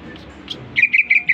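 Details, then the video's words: Caged greater green leafbird, recently bought, giving a fast series of bright, high whistled notes in reply to whistling, after a few softer sounds. "Cucak Ijo Gacor baru beli kena siul langsung ngoceh"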